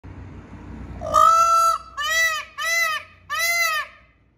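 Peacock giving four loud, nasal, trumpeting wails, the first drawn out and the next three shorter, about one every second, over faint background hum.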